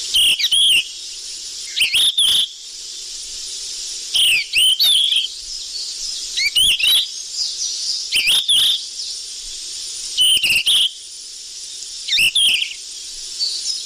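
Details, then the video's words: Sikatan emas flycatcher lure call, busy and lively: short bursts of sharp, sweeping chirps that rise and fall, coming in clusters every two to four seconds over a steady high hiss. "Suara pikat burung sikatan emas ribut"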